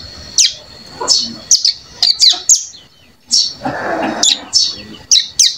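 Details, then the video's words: One-month-old captive Bar-winged Prinia (cigun), on its third day of learning, making soft 'ngeriwik' practice notes: a run of quick high chirps and short sweeps in irregular bursts, plus a brief muffled noise midway. "Cigun Belajar Bunyi Ngeriwik Halus"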